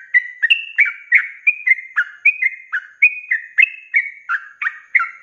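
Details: Sooty-headed bulbul (trucuk) singing in the fast, continuous 'ropelan' style, recorded for training cage birds: a long string of bright, slurred whistles, some flat and some dropping, at roughly three and a half notes per second over a quiet background.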